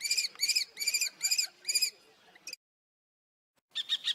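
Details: Shrill repeated kee calls from a common kestrel, five loud notes in quick succession, then silence, then a fresh burst starting.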